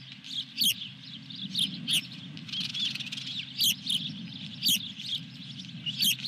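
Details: Osprey nest calls at Dunrovin Ranch, 23 June 2021, during a fish delivery. There are spaced, high whistled chirps, several doubled, over a low electrical-sounding hum with loud clicks.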